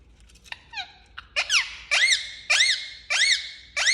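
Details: Angry pet Indian ringneck parakeet calling indoors: loud harsh arched screeches repeated roughly every half second after a few softer squeaks, each call sweeping up then down with strong harmonics.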